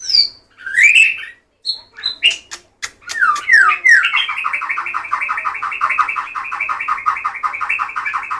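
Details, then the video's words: Murai batu, the white-rumped shama, gives several loud whistled and clicking notes, then breaks into a long, fast, steady chattering run of rapidly repeated harsh notes lasting over four seconds. "shama/murai batu"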